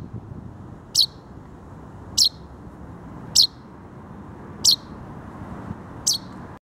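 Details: Common chaffinch chick calling with thin, very high, sharp single notes, repeated five times at intervals of about one to one and a half seconds, over a faint low background rumble.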